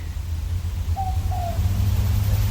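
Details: A boobook owl, or mopoke, calling at dusk in the still Dandenong Ranges east of Melbourne, Australia; one clear double hoot, the second note drawn out and dropping, against a constant low hum.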